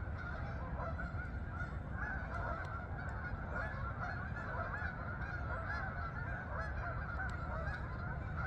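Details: Flock of geese travelling to the fields, Farmington, Connecticut meadows, giving continuous overlapping honks against a heavy low rumble of background noise.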